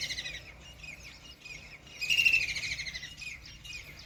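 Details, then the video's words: A kingfisher, given as Common Kingfisher, though White-throated Kingfisher is also named, sits by a river in Ranthambore National Park, Rajasthan. It gives thin, shrill, high whistles with one louder piercing note mid-clip, faint high chatter and soft outdoor hiss. "Common Kingfisher - Sounds"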